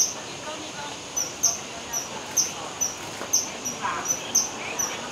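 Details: Kingfisher calling: a quick series of short, sharp, very high piping notes, roughly two per second, over a steady high-pitched whine and a low background hiss.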